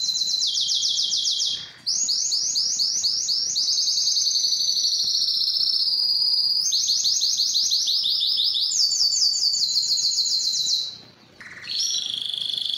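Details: Canary singing loudly and long to draw females for mating and breeding; phrases of fast rolled trills change tempo and pitch, broken by two brief pauses, with rapid high note series throughout.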